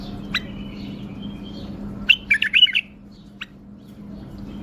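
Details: A tame male bulbul in Baghdad, Iraq, that flies out of and around its cage, gives a short burst of bright, bubbly warbled notes in about five quick phrases, with a few sharp chirps before and after, over a steady low hum.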